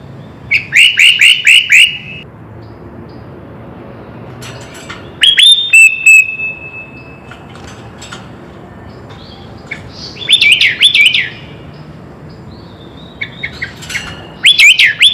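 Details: Sooty-headed bulbul in full isian song, delivering short bursts of quick rising whistled notes separated by long quiet gaps, with a thin steady whistle drawn out after one burst.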